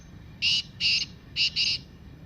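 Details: Kala teetar, the black francolin, giving its 'masti' call used to prompt caged birds to call: four ringing, slightly tonal grating notes in two pairs, with steady low hiss behind.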